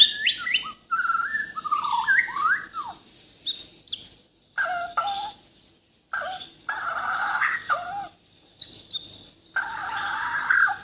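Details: Borneo white-rumped shama, a caged bird from Kalimantan, singing a full, varied repertoire: rich whistled phrases, sliding notes and sharp chirps in bursts separated by short pauses.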